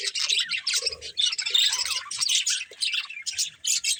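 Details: A group of budgies chatters in quick, uneven bursts of sharp, buzzy chirps and squawky notes, pausing briefly every second or so.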